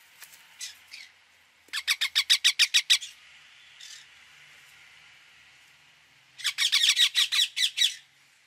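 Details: Indian ringneck parakeet repeating shrill, grating notes in fast trains of about eight, with softer squawks between bursts and a faint steady background hiss.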